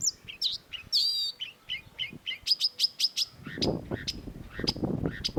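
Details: Long-tailed shrike (cendet) song mixing slurred whistles and a harsh buzzy note, then a steady series of repeated sharp high ticks, with low rumbling noise in the second half.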